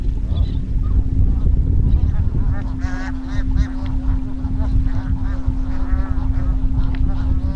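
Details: A flock of bar-headed geese in Satpura, Madhya Pradesh, gives nasal, honking calls, bunched in a short burst near the middle and then scattered and overlapping. Heavy low rumble and a steady hum run underneath throughout.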